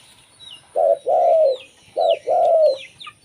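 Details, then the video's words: Two cooing phrases from a local zebra dove, a lure sound for other zebra doves, each a short coo then a longer falling one, with high sweeping chirps of other birds. "suara burung perkutut lokal"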